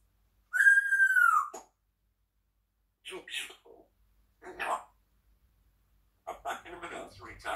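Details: Pet African grey parrot chatting in the morning, opening with a clear, slightly falling whistle, then short scattered speech-like syllables and a noisy, chattering burst at the end.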